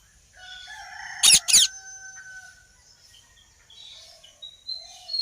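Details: Pair of loud, abrasive squawks from a ringneck parrot over a background of thin, sustained whistles and faint chirps from other birds.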